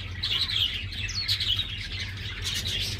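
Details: Pure-bred star finch fledglings just out of the nest, captive-bred in 2021, calling: a dense wash of high, thin chirps and short twittering notes with a few clearer rising whistles, over a steady low hum.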